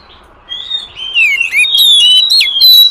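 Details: Wild forest oriental magpie-robin lure song: after a near-silent start, clear whistled phrases build into a loud tumbling sequence of slurred notes, chips and quick sweeps.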